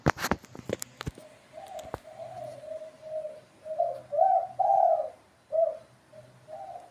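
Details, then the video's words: Spotted dove calling: soft, low coos in short phrases, each note slightly rising then falling, with a few clicks and knocks at the start. "suara panggilan tekukur"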